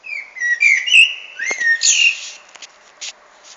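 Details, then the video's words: Common blackbird singing a short phrase of clear, flutey whistled notes that slide and waver, ending in a higher twittering flourish, followed by a few faint clicks. "Feketerigó énekel"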